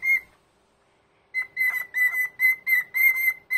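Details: Sunday-morning whistling from an older pet cockatiel indoors, a quick series of clear, slightly buzzy whistled notes on a single pitch, delivered in rapid bursts of about three or four per second after a short pause.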